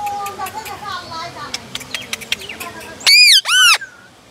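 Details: Rose-ringed parakeet giving two very loud, raspy screeches back to back near the end, after a stretch of soft clicks, chatter and a person's voice.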